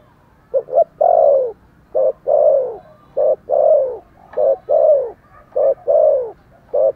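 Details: Spotted dove giving an energetic string of cooing calls, short hollow notes alternating with longer downward-sliding coos, delivered rapidly and almost without pause in a steady rhythm.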